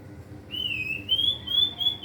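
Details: White-rumped shama learning to sing, with its song full of learned imitation material: a long, pure, steady whistle held at one high pitch for about a second and a half, rising slightly midway, over a low background hum.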